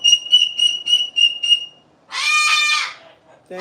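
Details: A rescue cockatoo, Peach, in a sanctuary's aviary flock gives a "pretty song" of six clear, high whistled notes, then one harsh, raspy screech ("yelling") lasting almost a second; a voice starts at the end.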